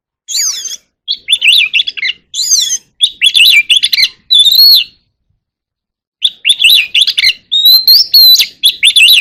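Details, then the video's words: Oriental magpie-robin in contest singing, delivering dense bursts of rich, varied warbling and sweeping whistles, pausing about a second and a half midway before resuming with rapid, loud phrases. "chòe than hót đấu"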